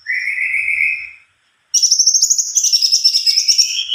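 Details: Greater green leafbird singing actively: a smooth, steady mid-pitched whistle, a short pause, then a fast high chattering roll that slides into lower whistled notes.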